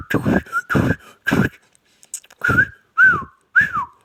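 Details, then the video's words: Talking ringneck parrot opens with three harsh, broadband, speech-like bursts. After a short gap it gives three clear whistles that rise and then fall, each about half a second apart. "ringneck talking"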